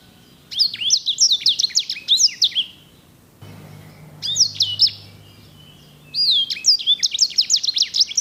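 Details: Edel or herda sanger, a songbird kept as a tutor for canaries, singing bursts of rapid high warbling notes with rolled trills, pausing about three seconds between phrases; quiet low hum during the pause.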